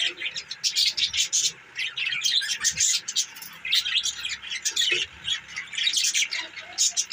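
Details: Budgerigars chattering continuously with pulsing, high, scratchy chirps and occasional squawks, the bursts rising and falling in loudness several times per second.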